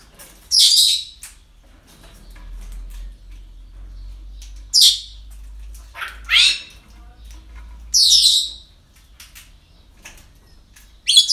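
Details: Parrots on an ordinary day at a breeding centre: five loud, harsh, high-pitched screeches spread irregularly over about eleven seconds, with quiet pauses between.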